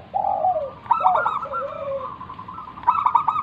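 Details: Local zebra dove in Indonesia in full cooing display, kept to coax other doves to sing: a low soft opening coo, then quick bubbly notes running into a long sustained trill, with a fresh burst of coos at the end.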